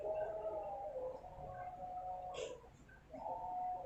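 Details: A white-rumped shama (Copsychus malabaricus) of the Medan type sings long, steady, low whistles that hold one pitch, broken once by a brief harsh rasp before the whistling resumes.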